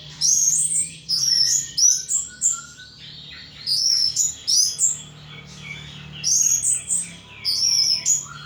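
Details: In full ngeplong song, a caged pet thrush repeats loud, ringing high whistled phrases about once a second, each one a quick rising-and-falling run of clear notes over a low hum.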